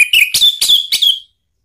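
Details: Orange-headed thrush lure song for making a pet bird respond: four quick, loud whistled phrases, each a buzzy rising note settling into a steady high tone, lasting just over a second.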